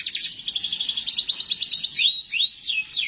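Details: Continuous canary singing: a rapid buzzy trill of tightly repeated high notes, then a few separate clear whistled notes swooping down and up.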